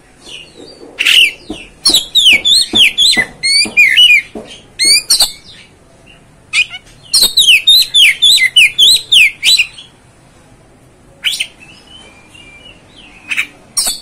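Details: Oriental magpie-robin singing in quick bursts of bright, slurred whistled notes and chattering phrases, each bout lasting a few seconds before a pause, then a few sparse calls near the end.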